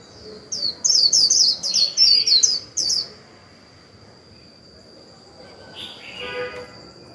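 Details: Decoy white-eye in captivity giving a 'líu' song to prompt newly caught birds to sing. A single fast burst of about ten sharp high twittering notes, then near quiet with faint soft chirps and a steady high tone.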